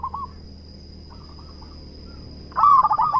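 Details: Local zebra dove, described as a prolific singer with a big voice: faint, quick cooing trills near the start, then a loud burst of rapid, rolling staccato coos at the end, over a steady high electrical whine.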